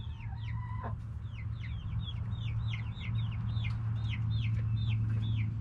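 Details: Backyard chickens, hens with roosters, noisy outdoors. Sharp downward-curving peeps repeat about three a second, evenly spaced, with a brief lower tone at the start and a steady deep hum underneath.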